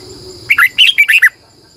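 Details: Decoy red-whiskered bulbul singing in the morning in a long, twisting double-voiced style. One brisk phrase of six or seven bright whistled notes that rise and fall, over a faint continuous high hum.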